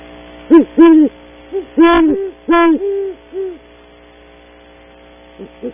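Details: Pair of great horned owls calling at a cavity in the early morning at Starr Ranch, California, camera-recorded: a burst of booming, drawn-out hoots in quick succession, quiet, then two faint short hoots.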